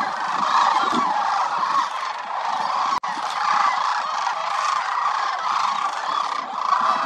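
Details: Dense overlapping rolling calls from thousands of wintering sandhill cranes at Willcox Playa Wildlife Area, where over 20,000 migratory birds gather. The loud chorus runs steadily with one brief dropout near the middle.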